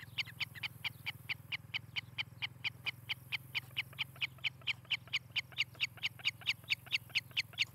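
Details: Osprey calling at its nest in Charlo, Montana, from a nest cam on 18 July 2018 around late morning: long, even chain of shrill whistled chirps, about four per second, some slightly louder, over a steady low hum.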